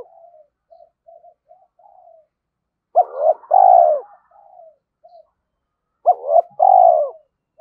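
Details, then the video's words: Caged decoy spotted dove calling to provoke and challenge wild males, with daily decoy training: two loud phrases about three seconds apart, each a quick hoarse note followed by a longer mellow low coo, with soft scattered notes between. "Chim Cu Mồi Thúc Đấu Và Gáy Gọi"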